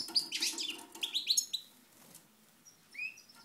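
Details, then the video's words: European goldfinch in Moknine, Tunisia, 2012: a brief burst of twittering chirps and whistles fading out, followed by a faint rising whistle near the end. "Chardonneret Moknine 2012"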